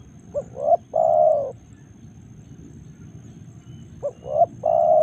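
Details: Spotted dove recorded in Karawang, Indonesia: two full cooing phrases about three seconds apart. Each has a brief opening note, a swelling second coo and a long, steady closing coo, with quiet low rumble between.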